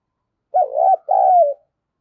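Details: Single cooing phrase from a decoy spotted dove used to lure wild doves: a short wavering low coo, a brief gap, then a longer steady note sliding gently downward.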